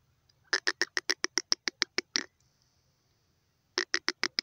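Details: Francolin giving a fast run of about twelve crisp, clipped notes, a silent gap with a faint thin tone, then a second shorter burst of the same sharp notes.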